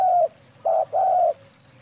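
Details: Cooing of a female spotted dove, KUK 2 manggung style, for luring birds: a trailing coo, then a short note and a longer, level, mellow coo before a faint hum.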